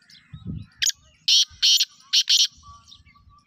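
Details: Black francolin, described as a rare purebred bird, calling: loud, harsh, buzzy high bursts, one short note followed by two pairs of strident notes, over a low rumbling background.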